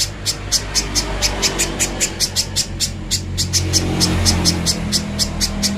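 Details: Little spiderhunter, clear master song for bird training: rapid, slightly irregular high chips, close together and continuous across the clip, over low droning background noise.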